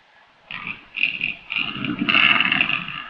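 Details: Rapid stuttering croaks from a black grouse and capercaillie hybrid, short raspy grunts quickly building into a continuous harsh, gurgling rattle.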